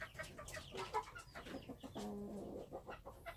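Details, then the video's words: Wild chickens, a short faint stretch of low clucking notes with a brief steadier tone near the end, among other chirps and background noise. "Noob qaib qus Qaib dib qua zoo - wild chickens"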